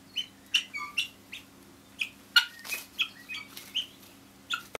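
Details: Two pet guineafowl on the back of a chair at home, scratching the furniture: loud sharp chirps and squeaky two-note calls, irregularly spaced, broken by rasping scratches and a final click.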